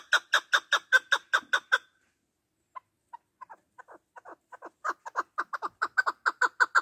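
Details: Partridge calling, as used by hunters as a lure: a fast run of loud chuckling clucks, a short pause, then softer scattered notes that speed up and build back into loud, ringing clucks.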